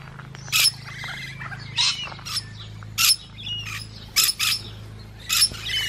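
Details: Feeding musk lorikeets utter loud, shrill, rasping screeches, single or paired, roughly once a second, amid quieter twittering and a constant low hum.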